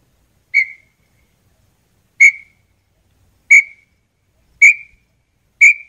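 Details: Five high, pure whistles from a red-legged tinamou, a bird of fields and forests. The notes come at gradually shortening gaps of about one and a half seconds, each clear and slightly drawn out.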